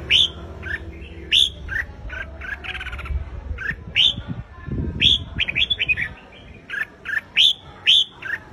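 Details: Red-whiskered bulbul, a provoking competitive song for a wild-caught bird, bright whistled notes spaced through the recording with short chattering runs, plus a low rumble and some knocking noise in the middle.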